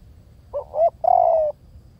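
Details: One coo phrase from a spotted dove, a soft stuttering two-note start followed by a sustained mellow coo easing downward, over low background murmur.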